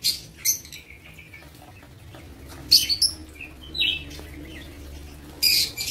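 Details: Lovebirds kept in a breeding aviary give a few sharp, high, shrill chirps in short bursts, spaced by quiet gaps, over a faint low hum.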